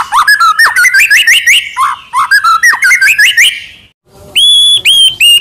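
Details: White-rumped shama tutor song full of fill-ins: rapid tumbling whistled notes in a continuous jumbled stream, a short pause, then three loud clear level whistles.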